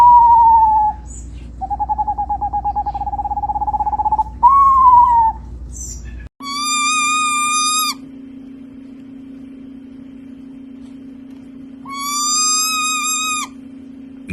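Eastern Screech Owl: a quavering, descending whinny, then a long, even trill. After that come two nasal, harmonic-rich calls over a steady low hum.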